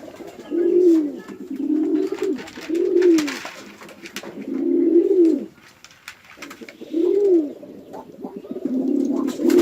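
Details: Male and female pigeons on a Chittagong District village farm in Bangladesh fight, giving six deep, arching coo phrases at a steady pace, each about a second long, with short quiet gaps.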